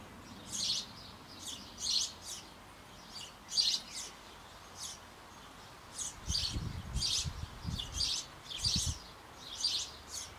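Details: Sparrow family in a birdhouse on an old apple tree in Bavaria, nestlings about to leave being fed; rapid high chirps roughly twice a second throughout, with low knocking and rustling in the second half.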